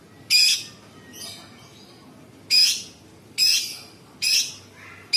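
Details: Scratchy, squawking notes from a sooty-headed bulbul mixing mimicked bird and insect sounds into its tembakan song: five rough high bursts, each with a thin whistle inside, at irregular intervals near one second.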